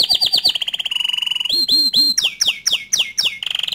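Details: Canary song meant to provoke other canaries into singing: loud, varied tours of rapid downslurred notes, a steady buzzy trill, then swooping whistled phrases and fast repeated chips.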